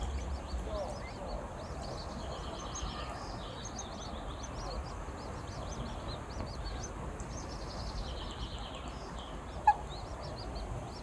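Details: A duck family with ducklings: thin, high peeps repeated in quick series through most of the recording, faint against a soft hiss, with one sharp knock near the end.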